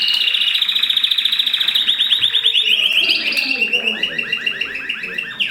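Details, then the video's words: Mosaic canary song heard during mating. Rapid, evenly pulsed rolling trills, high and ringing, run almost without a break, shift in pitch partway through, and end in short chirps over a faint low hum. "تزاوج طيور الكناري المزييك"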